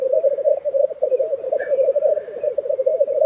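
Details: Lek of black grouse recorded in April 2023 in Tiveden, Sweden, with a continuous deep bubbling roll and a faint higher bird note midway.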